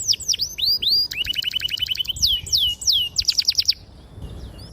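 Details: Canary song used as a master recording to lure and train young canaries to sing: clear, sharp whistled notes, fast trills, downward-sweeping slurs and rapid repeated chips in quick succession, loud and continuous.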